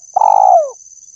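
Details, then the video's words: Spotted dove lure call: one long buzzy, vibrating coo lasting about half a second, level at first and then sliding lower, with a thin steady high tone in the background. "suara burung tekukur_pemancing suara tekukur"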